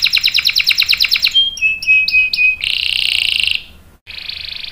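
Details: Vigorously singing canary: a quick rolling series of notes, then a few pure, flat whistles, followed by harsh buzzy trills broken by a brief pause.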